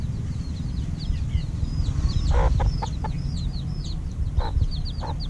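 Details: Week-old chicks at evening feeding give overlapping high peeps, with a few short lower clucking bursts in the middle over steady low background rumble.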